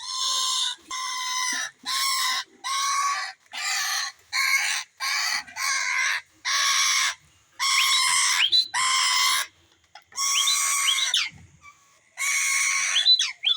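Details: Indian green ringneck parakeet kept with a baby parrot in India, giving a long series of harsh, raspy squawks, each about half a second, repeated roughly every second with short silent gaps.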